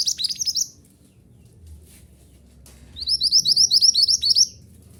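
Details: Mantenan gunung song played to train caged birds to sing: two bursts of rapid, high twittering notes at about four per second, each burst under a second to a second and a half long, with a quiet gap between them.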